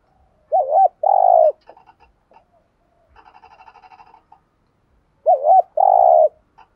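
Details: Decoy spotted dove giving the urging 'thúc gù' coo, used to provoke other doves. Two phrases, each a wavering double-humped note then a long, steady, slightly buzzy coo, separated by soft chirps and a rapid ticking rattle.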